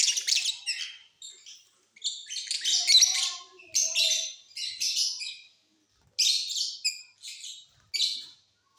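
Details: Mutation lovebirds in a flying cage sing during the off season: a busy run of high, harsh chirps and squeaky twitters in short bursts, steady for several seconds with brief pauses.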